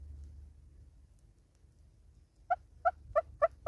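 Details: South African southern red-billed hornbill singing: quiet low hum at first, then five hollow single clucks starting after two and a half seconds, repeated roughly every third of a second and getting louder.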